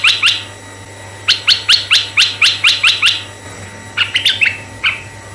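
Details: Energetic red-eyed bulbul song used to lure other bulbuls, with a pair of quick notes, then a run of eight bright, bubbly chirps, followed by a tighter cluster of notes. A constant faint hum lies beneath.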